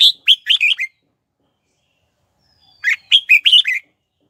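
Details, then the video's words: Red-whiskered bulbul used as a decoy, singing to call wild birds to come and fight. Two lively phrases of five or six rapid, slurred notes are split by silence, with a faint high thin whistle before the second. "Chào Mào Mồi Hót Tìm Chim Rừng Về Đấu"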